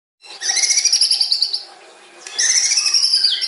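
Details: White-rumped shama, a murai batu, singing a long, fast song: two rapid trilled phrases of high, buzzy repeated notes, broken by a brief pause.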